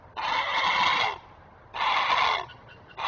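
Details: Adult great blue heron at the nest giving warning calls while protecting its offspring, recorded on a webcam: two hoarse, grating squawks of about a second each, a third starting at the end.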